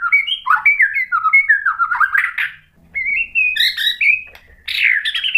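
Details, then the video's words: White-rumped shama song played as a lure to provoke another bird into singing: rich, varied whistled phrases sliding up and down, with short pauses and brighter high notes near the end. "KICAUAN MURAI BATU merangsang EMOSI jadi NYAUT GACOR NGEPLONG BONGKAR MATERI | PANCINGAN MURAI"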